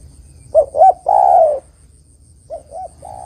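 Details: Spotted dove song played to lure other doves for trapping: two quick low hoots and a long falling coo, then a softer echoing phrase of two hoots and a level coo, with a faint steady high whine.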